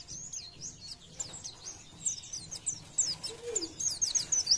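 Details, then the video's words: Oriental white-eye in 'gacor nembak' song, quick high chattering and sharp whistled notes building in strength, over noticeable background noise and a faint lower sound near the middle. "PLECI GACOR NEMBAK"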